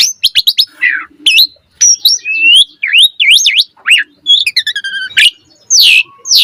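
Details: Varied singing from an Asian pied starling, recorded to train birds: sharp chirps, swooping up-and-down whistles, clicks and chatter in a busy, irregular flow.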